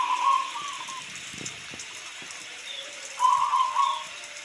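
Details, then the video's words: Two rolling, trilled coos from a local zebra dove, one at the start and one about three seconds later. Between them runs a steady hiss of falling rain with scattered drip sounds. "Suara perkutut lokal sangat jernih"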